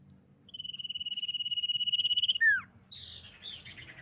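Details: Common iora (sirtu, cak lilin) lure song, said to be a female, used to provoke other ioras into singing: a steady, rapidly pulsed whistled trill lasting about two seconds, then a sharp downslurred note and a few buzzy falling notes, over faint low rumble.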